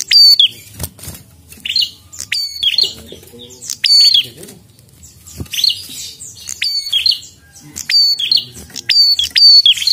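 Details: Persistently singing prinia giving repeated bursts of piercing, high chirps with a falling slide, phrases spaced every second or two, low murmurs faintly behind.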